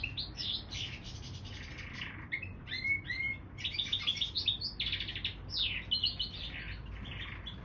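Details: Canary x bullfinch hybrid song of dense buzzy trills mixed with sharp whistled slurs and fast chirp runs, sustained throughout against a low steady hum.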